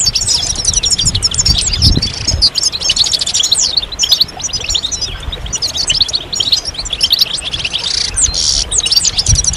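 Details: Goldfinch mating and readiness calls in chorus, used to make a male sing. Bright, quick twittering runs almost continuously, with a few harsher buzzy notes near the end.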